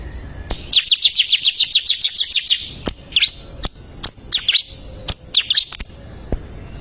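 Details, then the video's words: Bar-winged prinia in vigorous song, used to train caged songbirds: a fast trill of about fourteen high chirps, then three brief phrases of quick swooping notes, punctuated by sharp clicks. "ciblek gacor masteran handal"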